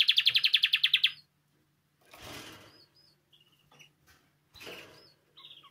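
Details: Spanish timbrado canary singing, kept for song training: a brief rapid rolling trill for about a second, followed by silence, two bursts of broadband rustling noise and a few faint short chirps.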